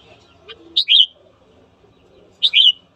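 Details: Red-whiskered bulbul in morning song meant to provoke fighting: two short, clear whistled phrases of two or three notes each, about one and a half seconds apart, over soft low background noise.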